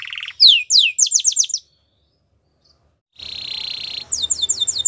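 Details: Canary singing a powerful training song: rapid descending whistled sweeps in quick trills, a buzzy phrase, a silent gap of about a second and a half, then a long buzzy note followed by fast repeated sweeps.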